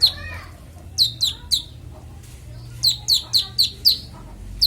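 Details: Konin kept as a songbird, its clear varied song used as master training audio for other songbirds: bursts of sharp, high descending chirps, about four per second, with short pauses and faint low background hum.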